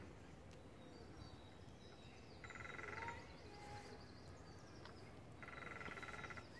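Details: Lesser spotted woodpecker (Dryobates minor) drumming at Parc de la Poudrerie on 23 April 2019: two short, fast, even drum rolls about three seconds apart, each under a second, over a low rural hum.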